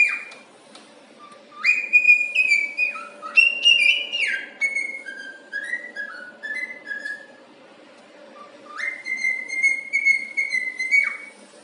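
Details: Cheerful cockatiel kept as a pet whistles a longer run of "If You're Happy and You Know It": stepping whistled notes rising and falling in a bouncy melody, a pause, then a long held whistle that slides down at the close.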